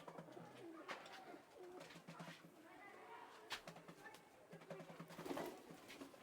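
Pigeons give low, soft coos among clattering noises and a little human speech indoors.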